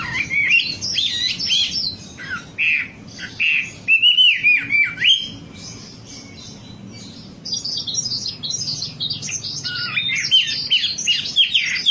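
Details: Wambi song used as a lure recording to get a bird singing: bursts of varied high, whistled and chirpy notes with quick rising and falling slurs, a brief quieter pause mid-way, then dense twittering resumes.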